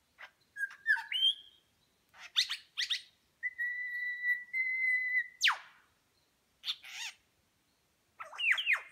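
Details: Lyrebird mimicking other birds during a tail-feather display in New England National Park, New South Wales, Australia; varied whistles and chirps, a long steady whistled note lasting about two seconds, then a sharp downward sweep and more calls.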